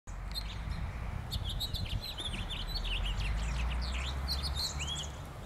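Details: A house finch at a park in Oak Bay on 27 January 2012 sings a long, rambling warble of quick, slurred high notes that run for about five seconds over a steady low background rumble.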